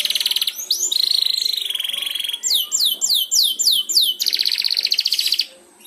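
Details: Young canary practising ngeriwik song, prompted by another canary: rapid rattling trills, a sustained buzzy note, a row of repeated downslurred whistles and a final fast trill.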